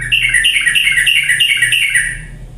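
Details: Sooty-headed bulbul lure song for stirring lazy birds into vigorous singing: a steady string of quick, liquid chirps repeated several times a second, fading out near the end, with a faint hum in the background.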